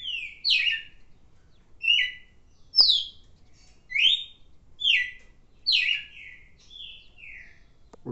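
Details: Red-cowled cardinal giving rich whistled phrases, downslurred and paired notes in quick succession, about one phrase per second, ending in softer, fading notes; a few faint clicks behind.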